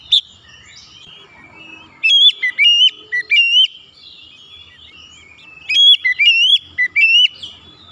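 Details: Oriental magpie-robin song played to coax stressed, silent magpie-robins into singing; soft twittering at first, then two bursts of loud, clear whistles sliding up and down, about four seconds apart.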